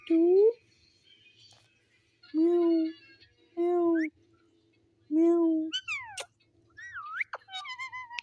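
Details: Pet talking parrot repeating a low, drawn, meow-like word three or four times with pauses, then finishing with sharp descending whistles and twangy calls.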